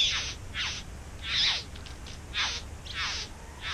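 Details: Bowerbirds around their nest in a back yard give loud hissing, rasping calls that drop slightly in pitch, five or six bursts spaced roughly half a second apart, with a faint low rumble underneath.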